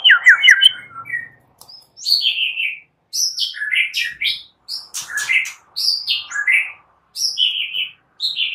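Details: Morning song of a white-rumped shama, used as a lure to get other shamas singing: bursts of sweet whistled phrases and chattering notes separated by short pauses, high and varied.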